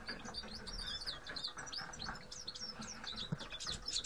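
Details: Grey-headed goldfinches (Carduelis caniceps), several birds, chattering continuously with rapid, tinkling high notes and slurred twitters layered together over a faint constant hum.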